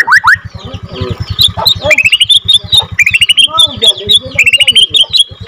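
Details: Borneo F2 white-rumped shama singing a lure song meant to rouse other shamas: bursts of rapid rising whistled notes and sharp upslurs, phrases repeating about once a second, over a steady low pulsing hum.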